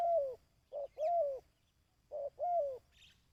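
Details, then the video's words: Dove call used to train decoy birds: low, mellow coos in pairs, a short note followed by a longer arched coo, the pair repeating after a pause of over half a second, with faint high chirps in the background. "Tiếng Chim Cu|Kích Bổi ( Tập Mồi )"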